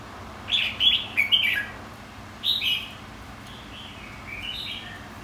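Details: Red-whiskered bulbul contest singing used for training; a burst of three rapid liquid warbled notes, another two-note phrase, then softer falling whistles trailing off.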